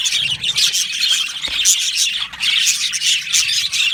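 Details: Yellow male budgerigars chatter loudly in an aviary colony: pulsing bursts of high chirps and squawky notes, with a soft flutter of wings partway through.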